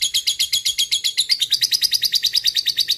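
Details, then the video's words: Harsh, fast chatter from a single fighter lovebird in the ngekek style. The trilling notes lift slightly in pitch halfway through, with a faint low hum in the background. "Love Bird Ngekek Panjang, Bikin Emosi Cepat Naik"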